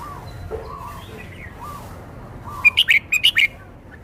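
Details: Soft, low cooing notes repeat in the background before a red-whiskered bulbul breaks in with its song, a rapid series of about six loud, bright chirped notes, as it shows off its repertoire.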